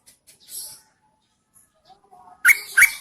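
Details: Female Yellow-vented Bulbul, recorded in the rainy season, calling to tempt males; a soft hiss and faint thin whistles lead into two sudden, loud, buzzy double chirps at the end.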